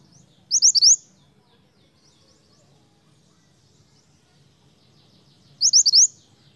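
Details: Mantenan, the snowy-browed flycatcher, singing vigorously to attract other birds: two matching phrases of four rapid rising high whistles, roughly five seconds apart, against quiet background noise.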